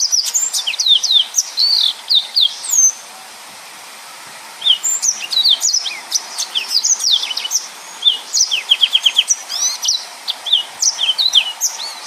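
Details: Yellow-fronted canary singing the full, tightly packed 'nembak' song used as a tutor for other birds: rapid cascades of high slurred whistles, a brief break, then more chirps and a short fast trill series.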